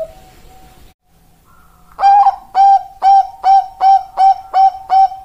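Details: Perkutut Bangkok zebra dove, a caged song bird, begins with a soft drawn-out hum. It then bursts into eight loud, evenly spaced, clipped cooing notes, roughly three per second.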